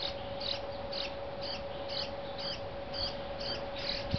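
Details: Young Brown-headed Cowbird begging while a Dark-eyed Junco feeds it, giving sharp, high arched chips roughly every half second against a constant humming background tone.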